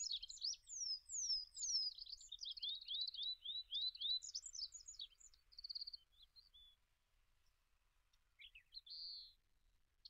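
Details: Olive-backed pipit delivering a long song: repeated thin downslurred whistles and high twittering phrases, then a short buzzy note. It tails off into quieter pauses, with one more buzz near the end.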